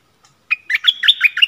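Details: Stripe-throated bulbul, 1 April 2021, from wild birds answering a caged bird near a likely nest with chicks. A faint note is followed by a fast tumbling string of bright slurred whistles, cut off still singing.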